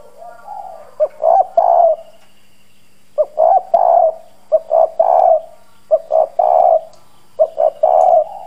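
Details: Decoy spotted dove with a hoarse 'giọng đồng' voice giving strong 'gù' coos to provoke and lure wild doves. Five low, husky phrases, each a short note then two longer rolling coos, with a faint steady hum behind.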